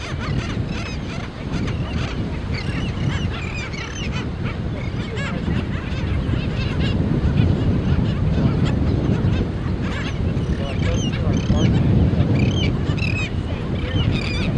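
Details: Black skimmer colony with chicks: many short, nasal, barking calls overlap continuously over a steady low wind or surf rumble.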